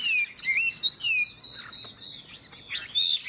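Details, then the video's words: Chinese hwamei in a singing contest between two birds: fluid, clear whistled phrases that rise and fall around high pitch, sliding and looping notes, with brief pauses between bursts. "Họa mi hót đấu"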